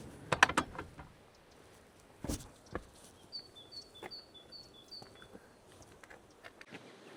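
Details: A great tit in Cornwall on a chilly, cloudless early morning sings a quick run of about five high two-note see-saw phrases. Clattering knocks and a thud from nearby activity come before it.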